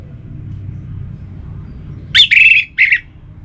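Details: Orange-headed thrush singing, used to prompt kept birds to sing: a quick burst of three harsh, buzzy whistled notes after a quiet stretch of low rumble.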